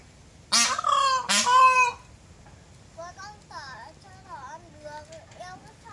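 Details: Peafowl calling: two loud, harsh, nasal wails in quick succession. Softer, quieter chirping and squeaky bird notes follow.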